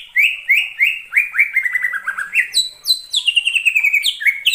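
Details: Greater green leafbird lure song for catching birds: fast chains of rising whistled notes, then high clear tones stepping down, delivered in a continuous, bright, varied stream.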